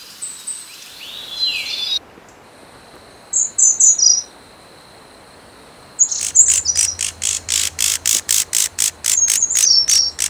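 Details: Snowy-browed flycatcher (Sikatan Bodoh) giving thin, very high notes that slide downward, delivered in short clusters of three or four. A steady high whine persists, and a run of regular buzzing pulses, several per second, fills the middle part.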